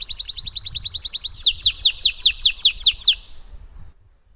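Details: Canary in full 'cengkok mewah' song, a long tutor recording for teaching canaries to sing: a rapid rattling trill of high notes, then a slower series of loud sweeping downstrokes that fades away into quiet.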